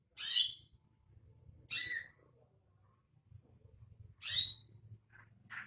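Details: Greater green leafbird lure sound, used to make another bird sing: three harsh, rasping bursts, the first two about a second and a half apart and the third after a longer pause, over a faint low hum.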